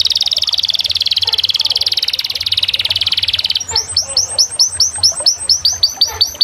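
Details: Canary song opening with a long, fast, buzzing rattle of high notes, then switching to a series of bright, repeated rising and falling whistled syllables.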